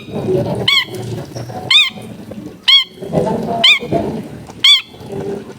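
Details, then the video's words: Long-tailed shrike recorded as a warm-up for a bird that had stopped singing, at a home in a crowded neighbourhood: a harsh, harmonic-rich note repeated about once a second, five times, over steady household noise and a constant hum. "PEMANASAN CENDET MACET BUNYI BIAR GACOR LAGI!!"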